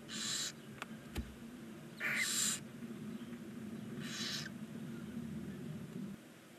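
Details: Hissing, snore-like rasps come from barn owl nestlings, nine chicks aged 19 days, in a nest box beside a stork-nest chimney in Ságvár, Hungary; three harsh bursts with a few sharp clicks between them.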